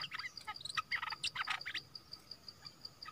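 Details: Orange-headed thrush song used as a decoy to lure wild birds, described as a strong, fierce voice; a quick burst of varied chirps and short whistled notes fills the first half, then fades to sparse clicks over a steady high insect-like pulsing.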